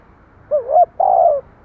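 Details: Part of a spotted dove phrase: a wavering, rising coo followed by a longer steady coo that drops at the end, against faint low background noise.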